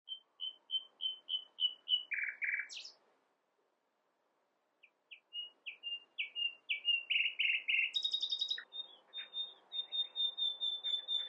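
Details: Nightingale singing: a row of pure whistled notes repeated quickly, a harsh burst, then rising crescendos of rich, loud repeated notes ending in a high sustained whistle series; no other clear sounds.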